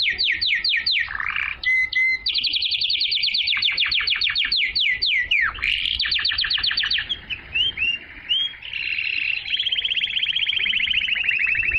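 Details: Canary song to stimulate females to mate and to coach young birds: long varied sequence of rapid descending trills, clipped paired notes, soft rising chirps and a closing even rolling trill.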